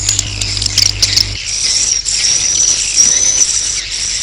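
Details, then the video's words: Swiftlet roosting call used to attract swiftlets to roost: dense, continuous high chattering and twittering with a faint steady low hum in the first second. "Suara Walet Inap"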